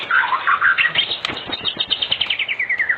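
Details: White-rumped shama song recorded in the afternoon as a lure to make other shamas sing; brisk burst of short chirps becoming a fast, evenly repeated series of bright notes that slowly descend.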